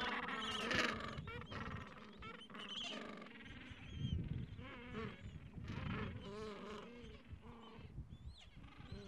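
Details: Gentoo penguin chicks about two weeks old, pressing under their mother for warmth in cold wind, give thin, wavering peeps in quick, uneven bursts, with deeper adult-like calls nearby over steady wind rumble.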